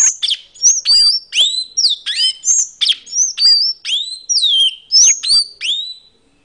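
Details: High, squeaky tanager song: short bursts of sharp chips each ending in a falling or hooked whistle, repeated in quick succession for several seconds with brief gaps, the background otherwise silent.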